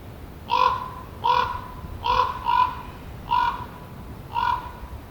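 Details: ['Common raven giving a run of six harsh croaks, roughly one every 0.7 to 1 second, two of them nearly joined in a quick double note, each short and raspy with rich overtones, over light background hiss.']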